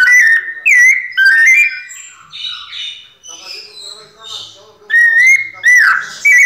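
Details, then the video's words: White-necked thrush in pianado song, bright whistled phrases at the start and end framing a quieter stretch of scratchy, softer notes. "Sabiá coleira "Sol" nunca vi pianado tão perfeito!"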